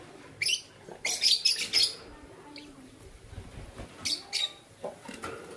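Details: Morning calls from a pair of green violin lovebirds: sharp, shrill chirps and screechy squawks in quick clusters, three close together, then two more and a softer final note, over faint room noise.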